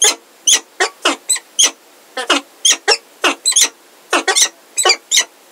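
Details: Peregrine falcons in Heidelberg, a male and a new unringed female, recorded 17 February 2023 in the afternoon: loud, harsh, raspy calls in quick bursts of about two notes each, spaced roughly every half second, with no other sounds.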